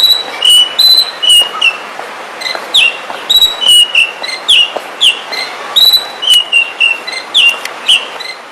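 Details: Oriental magpie-robin singing: clear high whistled notes and short slurred phrases repeated in bursts roughly every half second, with a steady hiss underneath.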